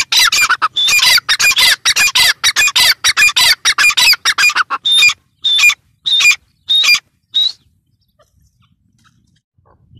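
A partridge gives a fast burst of harsh, shrill chattering notes that slow to a few spaced, ringing calls before falling silent.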